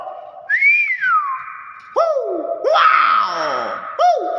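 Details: Common hill myna mimicking speech: a rising-falling whistle, then loud harsh speech-like syllables and a rough burst, over a constant tonal background with music.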